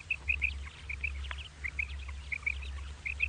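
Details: Morning calling of a common quail: quick high, liquid notes grouped in twos and threes, repeated steadily through the clip, with a low droning hum beneath.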